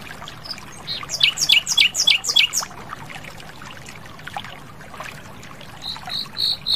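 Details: Wild Asian brown flycatcher in full, lively song, with a clear voice: a quick series of buzzy, downward-sweeping high notes over about two seconds, a quieter stretch, then a few short clear whistles at the end.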